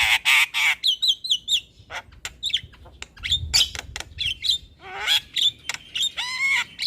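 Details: Energetic Javan myna singing, played to spur a lazy myna: harsh raspy blasts, a quick series of bouncing whistled notes, scattered clicks, then a long rising squeal and a wavering nasal note.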